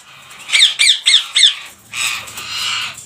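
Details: Rose-ringed parakeets kept as a colony collection; four sharp, shrill screeches in quick succession, followed by a longer, harsh, rasping squawk.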